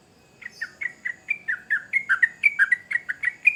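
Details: After a quiet half second, a sooty-headed bulbul launches into rapid, bubbly chirps that swing up and down in pitch, growing louder toward the end, with a faint steady hiss behind.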